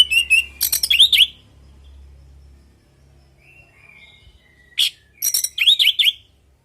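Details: Orange-headed thrush song from a lure recording: a jumbled flurry of high chirps and warbled notes, a quiet stretch with soft faint whistles, then another burst of clipped chips and slurred phrases.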